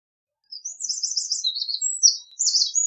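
Eurasian wren pouring out a loud, rapid, high-pitched song of sharp trills and tinkling notes, tumbling without pause over more than two seconds.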